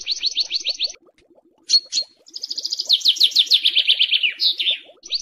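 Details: Songbird training recording of rough, harsh song phrases for cage and contest birds: rapid repeated chirps, a run of descending buzzy notes and quick trills, with a faint low ticking underneath.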